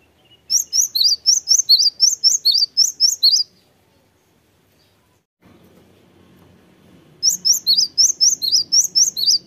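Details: Cinereous tit in vigorous song: a long run of about a dozen high, clipped whistled notes alternating rising and falling slurs, then a pause with low rumbling background, then another fast burst of similar notes.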